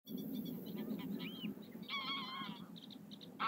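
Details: Common tern (Sterna h. hirundo) at Doel, Belgium, in July 2021, giving a harsh, drawn-out grating call after several short high chips, over a steady low rumble of wind or distant noise.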